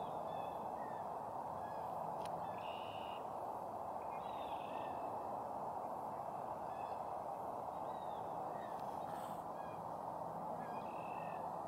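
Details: Sandhill cranes, a pair dancing in a hay field, Simcoe County, Ontario, Canada, morning of March 29, 2018; brief rattling call bursts recur every couple of seconds above a constant roar of background noise.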